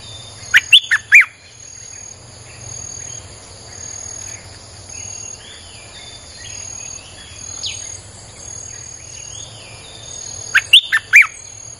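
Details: Streak-eared bulbul song used as a lure for wild birds: a short burst of three sharp chirpy notes, then a long gap filled with insect-like buzzing, and another three-note burst at the end.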